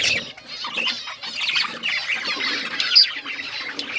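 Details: Pet budgerigars keep up a busy warbling chorus, scratchy chirps and wavering whistled notes layered densely, with a brief sharp squeak near the end.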